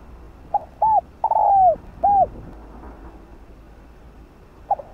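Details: Spotted dove lure song to get wild doves calling: a full four-part phrase of lead note, arched coo, long descending coo and arched coo, then quiet until a new short note begins near the end.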